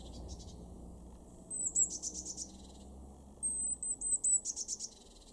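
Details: Eurasian blue tit in a garden in Weener, East Frisia, Germany, February 2023: two phrases, each a thin very high sustained note sliding into a rapid buzzy churring rattle of about six pulses, over a faint low hum.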